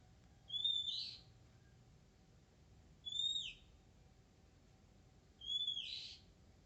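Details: Wild Oriental magpie-robin, shy but singing steadily: three short whistled notes with a faint higher overtone-like trill, each ending in a brief buzzy smear, spaced about two and a half seconds apart.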